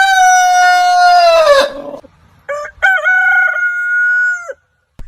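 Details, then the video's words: Crowing rooster among heritage chicken breeds. A long crow trails off into a falling, hoarse end, then after a pause a fresh crow rises in stepped notes and holds a level tone. "Chicken Crowing Ayam Berkokok Con Gà Gáy"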